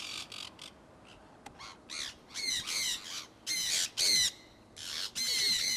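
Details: Free-flying conures of a kept flock out in early spring 2003 in Iowa. Loud, grating screeches run in choppy bursts of about half a second. The calls start sparse and grow more frequent and louder toward the end.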